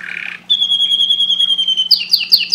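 A canary sings a long, steady high whistle that slides slightly downward, then breaks into quick, bright repeated chirps, about four in half a second.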